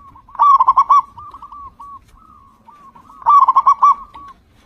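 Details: Local zebra dove with a very loud voice, used to lure other zebra doves into singing: two bursts of fast pulsing coos about three seconds apart, gentler single coos trailing between them.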